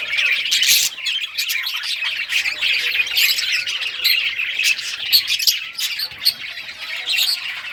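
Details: Pet budgies of rare colours, recorded June 18, 2023 while playing with toys, give a harsh, squawky chattering mixed with high chirps, steady and overlapping throughout.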